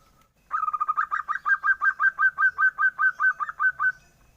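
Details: Young zebra dove, its call said to sound like a duckling. Silence first, then a quick stuttering start that settles into a long run of about seventeen bright, clipped peeps at an even pace.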